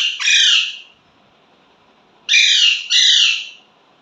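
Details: Indian ringneck parrot kept as a pet, mimicking speech like mummy, papa: one raspy drawn-out syllable, a pause, then a two-syllable nasal phrase.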